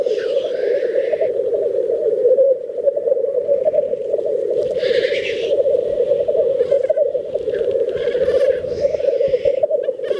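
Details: Black grouse at a mating display lek in Teesdale, North Pennines, UK: an unbroken low bubbling, cooing chorus throughout, with harsh hissing sneeze-like bursts near the start and around five seconds.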